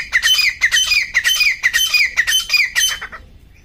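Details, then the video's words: Grey francolin calling in jungle: a fast string of harsh, ringing squawks, about two per second, each note sliding downward, fading out at the end. "grey francolin bird calls in jungle"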